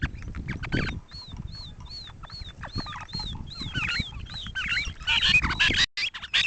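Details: Original 2010 recording of a grey francolin: evenly spaced high whistled notes, each rising then falling, speeding into louder, rougher phrases amid constant crackle and rustling.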